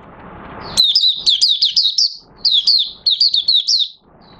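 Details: Oriental white-eye of the Mata Puteh Raja type beginning to sing, 30 August 2022, as its new white feathers finish colouring; low rumbling noise gives way to a fast run of thin, slurred chirps, a pause, another run, then one soft note.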